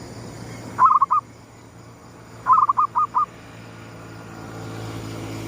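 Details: Zebra dove kept as a lure bird, gedong mengo song style, calling at sunrise: two phrases of stuttered, rolling coos about two seconds apart, the second longer with four quick clipped notes, faint hum beneath.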